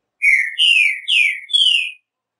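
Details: Green-winged saltator, the trinca-ferro of Brazil, sings four clear, melodious whistled notes, mostly slurred downward, the last a long falling whistle, over about two seconds in silence.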